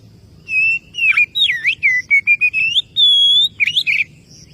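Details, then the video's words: Oriental magpie-robin calling out a rival with rich whistles: a flat note, deep swooping slurs, a string of short notes climbing gradually, a sustained bright whistle, then twisting closing notes. "suara burung Kacer memanggil lawan pasti langsung nyaut"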